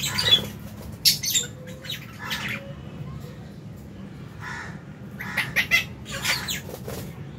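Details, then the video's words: Lovebirds feeding in an aviary in January 2023; scattered harsh squawks and chirps at moderate volume, spaced irregularly, over a constant low hum. "Lovebird Meal Time- Lovebird Chirping Sounds"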